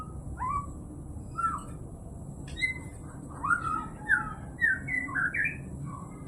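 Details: White-rumped shama (murai batu) delivering quieter, varied song: scattered short whistles and slurred chirps that grow busier toward the end in quick rising and falling notes, with a steady high electronic whine and low background rumble.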